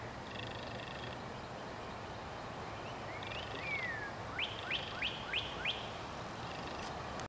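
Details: A male Northern Cardinal sings to attract a mate at midday, sunny and warm, Lafayette County, Mississippi, 25 April 2022: a long slurred downward whistle, then five quick sharp down-slurred notes about three per second, over steady hiss.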